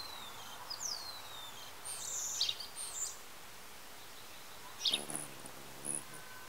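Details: Hummingbirds at a feeder on 18 May 2017, squabbling over it, give thin, high squeaky chips and quick downward-sliding twitters in scattered bursts, with a brief low wing hum and light outdoor background noise.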